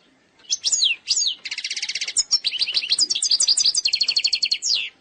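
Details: Algerian European goldfinch, eastern-sector song said to be mistake-free: two downslurred whistles, then a long buzzy trill, then a lively sequence of tinkling, regularly paced notes ending in a descending slur.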